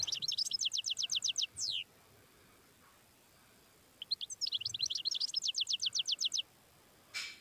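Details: Wild goldfinch in tebnija song, delivering two rapid, regular trills of high, clear chips, each closing with a falling slur, separated by a few seconds of near silence and a brief hiss at the end.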